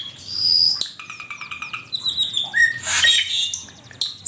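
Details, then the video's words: Asian pied starling song used as a master recording for training songbirds: a varied medley of clear high whistles, rapid repeated stuttering notes and harsh buzzy bursts, with loud and soft phrases alternating. "Suara burung cucak keling masteran jitu 100% camperling"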